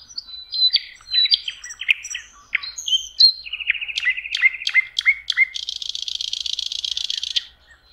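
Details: Common nightingale singing beside a lake in spring, May: varied whistled phrases, a rapid even trill, sharp clicking notes, ending in a long harsh buzz.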